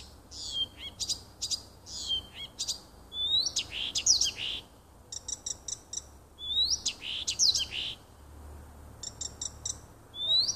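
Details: Nightingale song in a little wood by a house, 30 June 2015: varied phrases of rising whistles, sweeping notes and rapid machine-gun trills of repeated clicks, loud and clear against a quiet background.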